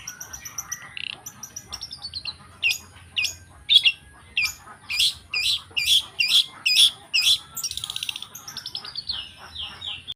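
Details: Long-tailed shrike in the wild, opening with thin high notes, then a run of loud clipped calls about every half second, closing with a cascade of descending chattering whistles.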